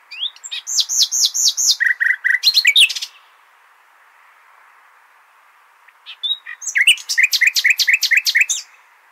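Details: Common nightingale song, played to tutor goldfinch and hybrid chicks, in two loud phrases: high upslurred whistles about twice a second, a few low fluty notes and a rattle, then a burst of rapid piping.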